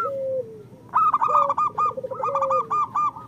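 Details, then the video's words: Local zebra doves singing, meant to prompt idle birds to sing. A low drawn coo precedes a loud burst of rippling, stuttering coo notes, with a purring trill beneath. "Perkutut lokal gacor Masteran Perkutut Suara Kristal"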